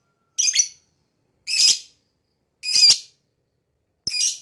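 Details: Four harsh, high lovebird chirps, each brief and grating, repeated a little over a second apart.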